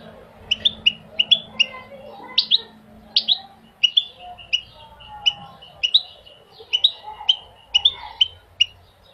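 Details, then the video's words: Goldfinch giving a steady series of sharp, high chirps, each repeated about every half second, with a few sweeping whistled notes mixed in, against a quiet background. "Singing the goldfinch is amazing song"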